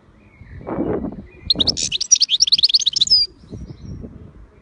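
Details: European goldfinch giving a short, lively phrase of rapid high twittering and tinkling trills lasting under two seconds, preceded and followed by low muffled rustling or cooing sounds in the background.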